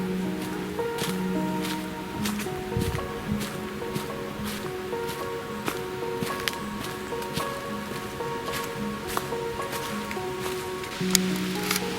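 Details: Steady tonal music with sustained notes plays over scattered clicks and rustling, with no animal calls.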